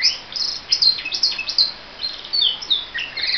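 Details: Morning song of a pet canary: quick bursts of shrill, sliding whistles and chirps in irregular groups, each phrase sharp and high, separated by short gaps.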